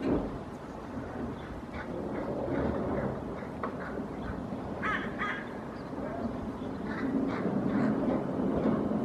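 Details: Several wild hooded crows in Helsinki, Finland, on 8 May 2024, trying to chase away a common raven hidden behind a cliff after it tore apart a pigeon carcass; scattered harsh, rasping caws over a steady low rumble of background noise.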